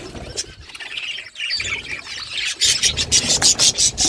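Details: Budgerigars kept as pets chirp to one another, the soft twittering growing into loud, harsh, scratchy chatter bursts about three times a second toward the end.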